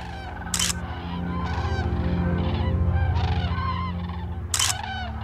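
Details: Flock of migrating cranes calling in flight: repeated rolling trumpeted honks from many birds overlapping, with a steady low humming drone underneath and two brief sharp noise bursts.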